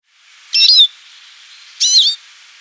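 Eurasian siskin giving two high, thin, slurred call notes about a second apart over a soft background hiss.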